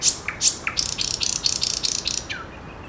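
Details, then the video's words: Sharp explosive chips from a nightingale lead into a dense, rattling burst of rapid pulses lasting over a second. The phrase closes with a falling slurred note. "Сейчас самые соловьи..."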